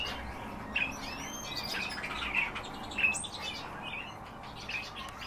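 European bee-eaters give short, liquid, rolling 'prruip' notes from several birds at once, overlapping at an irregular pace about every second, over a soft background hiss.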